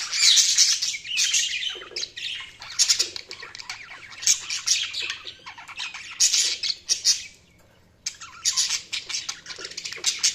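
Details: A long stretch of budgerigar chirping, with loud, harsh, high chatter in repeated bursts, a brief lull near the end, then more rapid squeaky warbling.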